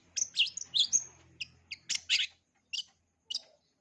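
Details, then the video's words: Full-repertoire singing of a long-tailed shrike for young birds to learn: high thin whistles mixed with chirps, then sparse single chip notes, over a faint low hum. "Cendet isian lengkap, COCOK untuk CENDET MUDA belajar BUNYI, JITU dan GACOR"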